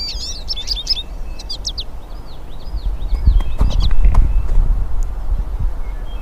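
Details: Hooded siskins, several birds singing in nature: a quick burst of high, thin twittering notes in the first two seconds, then a few looping whistled arcs, fading into a steady low rumble of background noise.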